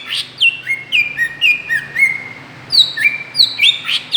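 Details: Lure sound of a greater green leafbird for provoking other birds: a short sharp chip, then quick down-slurred whistles settling into held tones, followed by a livelier run of bright, rapid whistles with a few harsher accents.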